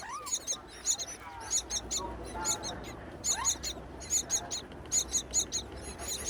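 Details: Hungry myna chicks begging as their mother returns with food to a wild nest high on a palm tree in breeding season. Sharp, very high squeaks come in rapid clusters, mixed with a few lower rising whistles.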